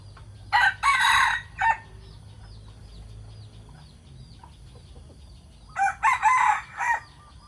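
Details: Two morning crows from decoy chickens, each made of several loud grating syllables, separated by about four seconds of quiet with faint, distant calls.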